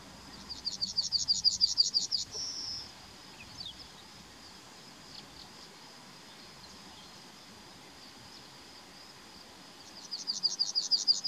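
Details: Singing Yellowhammer in May 2020: a rapid rattle of high repeated notes ending in a longer drawn note, a quiet gap, then the same rapid series starting again, with constant high-pitched background hiss.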